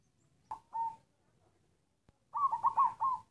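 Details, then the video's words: A black perkutut (zebra dove) of local stock opens with a clipped single note and a brief drawn coo. After a pause and a click comes a fuller halting phrase of rolling, coughing coos. "Suara perkutut hitam batuk batuk tersendat sendat"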